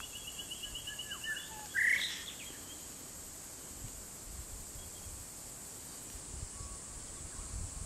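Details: A gang-gang cockatoo, filmed in the morning while eating spitfire sawfly grubs, gives a single short, harsh, creaky call like a rusty hinge, over a steady high insect drone throughout.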